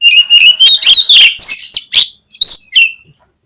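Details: Oriental magpie-robin song used as a lure recording to draw out singing in other kacer; loud, varied whistled phrases with sharp rising and falling notes, rapid and jumbled, ending abruptly.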